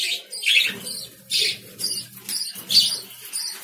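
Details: Lovebirds giving shrill, harsh chirps in short bursts about once a second, with a faint low hum underneath.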